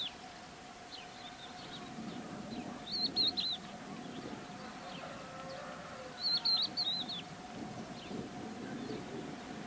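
Crested lark giving two clear, liquid three-note whistled calls about three seconds apart, with faint chirps, a steady hum and rural background noise.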